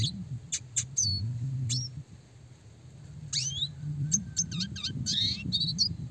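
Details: Red siskin song for training small fighter songbirds, clear and fast; scattered high chips and a swooping rising whistle, then a busier chattering phrase near the end, with a steady low hum underneath.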